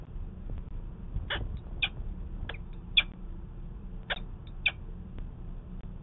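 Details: Peregrine falcon at a nest in Manchester, New Hampshire, on 19 February 2020, during a 'conference' at the nest, picked up by a nest camera. About six short, harsh, clipped calls are scattered irregularly over a steady low hum.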